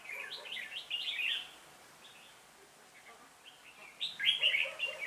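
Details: Red-whiskered bulbul acting as flock leader decoy at a trap, 26 November 2017, twenty birds caught; two clear bursts of rapid, lilting warbled notes separated by a quiet gap.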